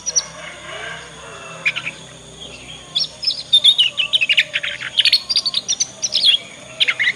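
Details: Juvenile Yorkshire canary practising ngriwik twittering, used to teach other canaries quickly; after a quiet start, a long continuous chatter of quick scratchy chirps and trills for several seconds.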